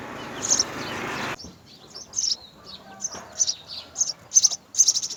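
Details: Begging at a house sparrow nest where both parents feed three young: a broad rustling noise opens, then thin high chirps come in uneven bursts, growing quicker and louder toward the end.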